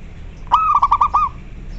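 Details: Local zebra dove calling, kept as a master bird to train other doves and raise their breeding urge; one stuttering phrase of about six quick low cooing notes, ending in a slightly longer note, over faint background hum.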